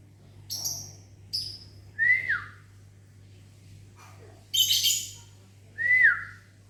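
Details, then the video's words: Caged lovebird in a small aviary answering morning whistles: short shrill chirps, then a human's brief falling whistle, a loud raspy squawk burst, and another falling whistle, over a low steady hum. "Disiul Lovebirdnya Nyahut Mantab"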